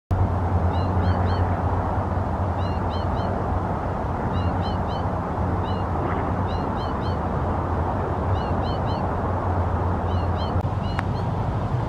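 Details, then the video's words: Young American goldfinch calling from low trees: short high upslurred notes in pairs and triplets, repeated in bursts about every one and a half seconds over steady low rumble of background noise. "Young American goldfinch calling in low trees"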